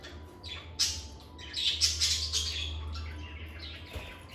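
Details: Pet lovebirds indoors giving a run of shrill, squeaky chirps and short squawks clustered in the middle, fading toward the end, with a constant low electrical hum.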